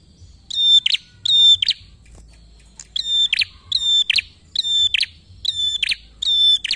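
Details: Prinia song used as a lure to prompt other birds to sing: loud high notes in repeated phrases, each a steady whistle capped by rapid ticking, repeated about every 0.7 seconds with short gaps and faint low hum below.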